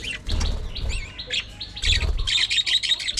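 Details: Aviary colony of budgerigars calling: scratchy chirps and a couple of wavering warbled notes, then a quick run of bright repeated chirps, with wing flutter and thumps in between.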